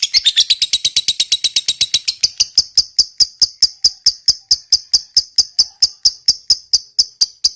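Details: Fighter lovebird giving long 'ngekek' chatter. A fast, harsh rattle slows after two seconds into steady, sharp, high 'kek' notes repeated about four to five times a second for several seconds.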